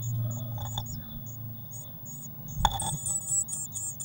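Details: Eurasian blue tit nest box, 19 May 2019, feeder filled with waxworms: scattered short high chirps, a sharp knock near the middle, then denser high twittering, all over a steady hum.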